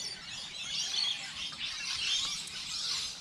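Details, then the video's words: Birds chirping outdoors on a light rainy day: thin, high-pitched tweets and short twitters rising and falling in soft waves, set against a faint wash of rain and background hiss. "Bird sounds, Bird chirping"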